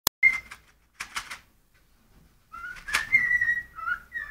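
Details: Pet cockatiel singing when hungry: a clear high whistle, then a gap, then a run of gliding whistled notes shifting between pitches, mixed with sharp clicking and rustling bursts indoors.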